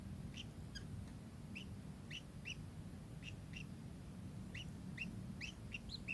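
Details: Kingfisher calls: brisk, clipped high chirps come in irregular clusters, with a brief pause midway, and a low droning noise runs underneath throughout.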